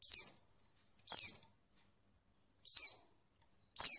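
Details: Female Oriental white-eye giving calls used to get males singing: four bright, high, falling notes, evenly loud, in irregular spacing with a long gap in the middle and a faint soft note early on.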